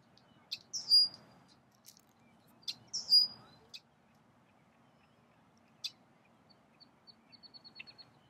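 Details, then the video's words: Red-winged blackbird gives two sharp, high phrases about two seconds apart, each a quick clipped note sliding into a thin whistle, then a faint run of rapid ticks over a low hum. "Red-winged Blackbird call sound"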